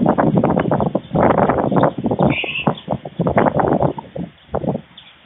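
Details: At a Fohrde, Germany white stork nest on 16 July 2019, the adult male delivers lunch to two nestlings: bouts of rapid, grating pulses in clusters separated by short gaps, and a faint high chirp from another bird.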